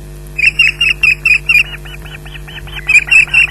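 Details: Osprey at its nest at Loch Garten as a fish is delivered at 13:34: a loud series of about a dozen short, whistled, slightly rising chirps, evenly repeated, briefly softer midway, over a steady electrical hum.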